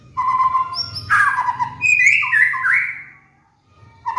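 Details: White-rumped shama master song for molting cage birds: mid-pitched whistled notes, a dense burst of warbling, then a wavering higher phrase before falling silent and one last note.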